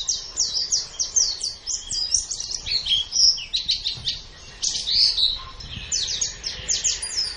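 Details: Caged-bird training recording of white-eye song, advised for morning or evening when the bird's mood suits learning: dense, shrill chattering of quick downslurred notes in rolling phrases, with one short pause around four and a half seconds.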